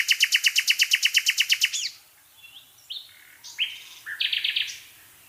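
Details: Countryside nightingales in a listener's recording: a rapid burst of loud, evenly repeated notes breaks off, followed by a pause, then scattered short whistles and rising, buzzy phrases.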